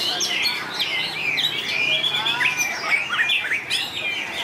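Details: White-rumped shama singing in a contest, a long varied song: rapid high whistled and slurred notes rising and falling in quick overlapping phrases, with a faint low hum beneath.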